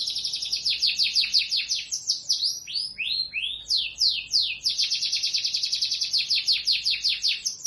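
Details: Canary song made of quick rolling trills of high, down-sweeping notes, broken by a few slower, louder slurred syllables, then a fast steady trill again.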